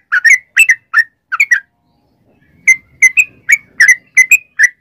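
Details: Yellow-vented bulbul lure song: a few bubbly falling phrases, a brief silence of about a second, then a renewed series of clear, slurred whistled notes.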